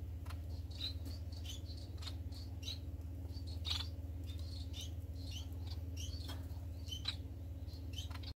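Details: Society finches recorded 25 March 2020 keep up a lively stream of rapid, high-pitched chirps and twitters, irregularly spaced, with occasional soft clicks over a steady low background hum.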